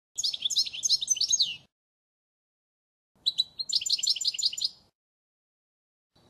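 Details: Faultless goldfinch song used for schooling young birds, 2016: bright, rapid twittering bursts of high liquid chirps and buzzy trills, delivered in phrases about one and a half seconds long with silent gaps.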